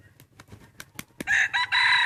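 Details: Rooster let out to range freely, eating grass and weeds among Hmong hillside fields and forest; after a second of soft taps and clicks, a loud, harsh, strongly harmonic crow bursts in and holds to the end with one brief break.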